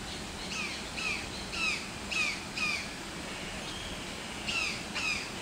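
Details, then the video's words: Montezuma oropendola at a residential area in San Pedro Sula, Honduras, giving short harsh downslurred notes, about two per second in a loose series with a brief pause midway, over steady background hiss. "Psarocolius montenzuma - Montezuma Oropendola"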